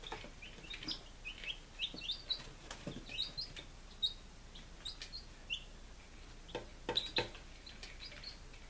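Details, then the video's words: Five-day-old baby chickens in Lunenburg, Massachusetts, on 23 July 2017: short high arched peeps, several per second, overlapping from more than one chick, with scattered sharp clicks and taps. "Baby Chickens - Day 05"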